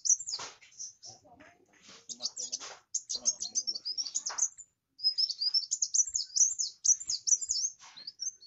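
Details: Kolibri wulung (kowul) singing vigorously: rapid, high, thin twittering phrases of sharp chirps and quick slurs in bursts, with brief pauses near three and five seconds and faint low background clatter.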